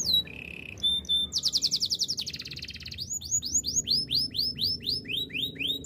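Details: Canary training song: a short low trill, a fast buzzy rattle, then a long run of repeated arching whistled notes at a steady rapid pace.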